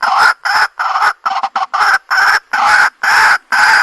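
A white-breasted waterhen gives loud, harsh, nasal croaks, about two per second, in a steady run of a dozen notes.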